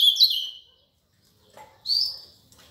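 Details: Ultramarine grosbeak from Paraná giving a short burst of high, slurred whistled notes, then a pause with a soft low thump, followed by one drawn-out high whistle that fades.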